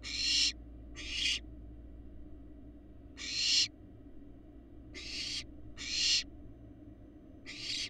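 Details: Six rasping screeches from barn owl fledglings on a live Florida nest cam, eggs laid January 2022, coming in uneven bursts, some close pairs, each harsh and swelling, over a steady low hum.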